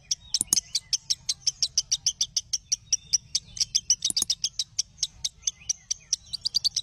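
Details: Lovebird song used as tutor audio for other lovebirds: a long, even run of sharp high chips repeated several times a second, with a few louder clustered notes.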